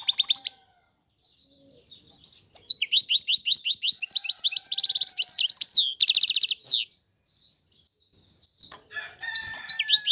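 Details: Brief notes, then a long, lively European goldfinch phrase of quick twitters and a rasping trill, followed by quieter chatter and a fresh burst of song.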